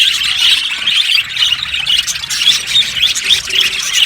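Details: Budgerigar colony in an aviary, many birds chirping together: dense, high, scratchy chatter with bright whistled notes popping out roughly every half second over a steady warbling wash.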